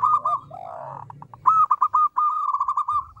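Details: Zebra dove, a local bird, singing for use as a lure: a brief trill, a blurred swooping phrase over low background noise, then a clear run of rapid staccato coos.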